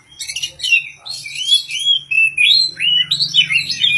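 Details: Oriental magpie-robin kept for singing contests in Indonesia, singing ngobra without mbagong: loud clear whistled slurs, rising and falling, linked in a continuous run after an opening of rapid scratchy notes, steady low hum behind.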